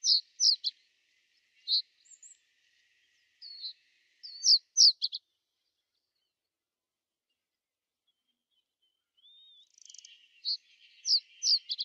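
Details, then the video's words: Common reed bunting in winter 2012–2013 at Genk, Boxberg: short high sharp notes in quick clusters of two or three, then a long quiet gap before another burst of thin calls and a brief upslurred note. "Rietgors (emberiza schoeniclus) - Reed Bunting"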